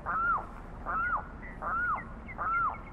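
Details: Limpkin, known locally as carrao, giving four loud arched wailing notes, each rising then dropping, spaced about every 0.8 seconds over a faint hum.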